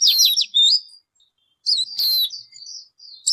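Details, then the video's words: A bird gives a fast jumble of high notes followed by a pause, then a loud downswept whistle and a softer, wavering, sustained high warble. "Suab noog ncwb qua dib tuaj zoo tiag tiag."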